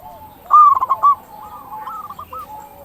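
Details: Local zebra dove in vigorous song, used to lure zebra doves and trigger their calling: one loud phrase of rapid stuttering coos, followed by softer drawn-out cooing from another dove.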